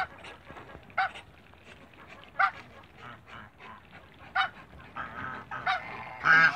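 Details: A couple of African geese kept in a backyard call with sharp brassy honks spaced about a second apart, some doubled, over constant low background noise.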